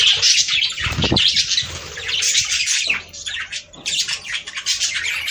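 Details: Several budgerigars warbling, a sound meant to encourage mating; bursts of shrill chirps and harsh squawks separated by brief lulls, with a faint low rumble during the quieter stretch.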